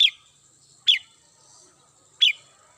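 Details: Red-whiskered bulbul kept at home, singing in the morning: three sharp, bright notes that sweep quickly downward, spaced about a second apart, over a quiet background with a faint steady high hiss.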